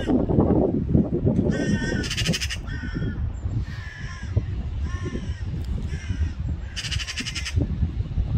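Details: Black-billed magpie with a run of harsh, grating calls, some loud and some fainter, spaced irregularly across several seconds, over continuous low rumbling background noise.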